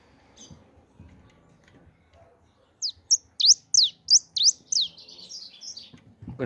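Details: A bird sings after a quiet stretch of faint low rumbling: a quick run of about eight sharp, high, down-slurred whistles, roughly three a second, ending in a brief clatter.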